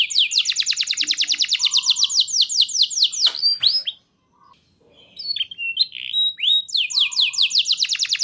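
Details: A lively canary training song meant to stir young canaries: quick series of high sliding notes, a short pause, scattered chirps, then renewed fast downswept phrases.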